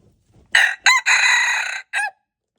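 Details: Red junglefowl crowing, February 26, 2025: brief harsh introductory notes lead into a long, steady, rasping middle section and a short final syllable. Faint low rustling is heard just before the crow.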